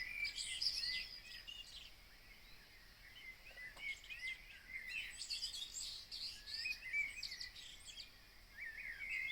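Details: Birds singing at 03:30 outside Copenhagen on 22 June 2026: several quiet, overlapping voices giving high thin twitters, short whistles and chirps without pause, over a steady soft background hiss.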